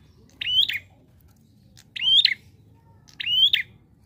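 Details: Three matching prinia notes evenly spaced about every 1.4 seconds, each a short buzzy chirp sliding upward with a sharp accent, against a quiet background.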